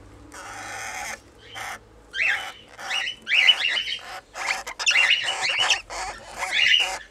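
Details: Red-winged parrots, a two-year-old breeding pair with their first brood of 20-day-old chicks, giving harsh squawking calls in uneven bursts, some with rising tonal notes, amid wing flapping.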